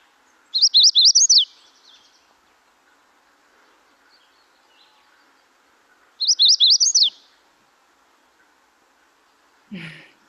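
A Magnolia Warbler sings two short, high phrases of quick swirling notes, about six seconds apart. Faint hum underneath and a soft thump at the end.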